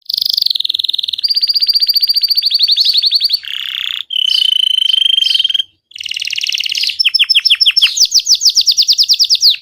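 Belgian canary singing: loud, high, fast trilled rolls and buzzy phrases that shift in pitch every second or two, with rapid chopped notes at the end.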